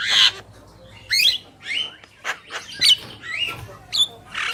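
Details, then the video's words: Black-winged myna, male and female together; mix of harsh hissing squawks and bright slurred whistles, roughly one phrase each half second, irregular, with low background hum. "Jalak Kebo Gacor | Burung Jantan dan Betina"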